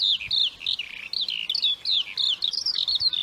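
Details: Lark singing a continuous, fast, high warbling song of chirps and trills that rise and fall without pause, over a faint low background rumble.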